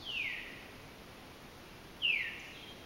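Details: More than one Veery calls at Sosebee Cove, giving two clear, downslurred 'veer' calls about two seconds apart, each dropping from high to mid pitch, over faint hiss; a robin and warblers also present.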